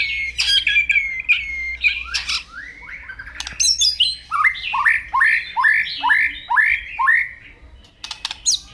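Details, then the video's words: Morning song of a white-rumped shama, opening with piercing whistles and dry clicks, then a steady series of curved, rising slurred notes repeated roughly twice per second, ending in sharp chips; soft low hum underneath. "Koar2 di Pagi Hari"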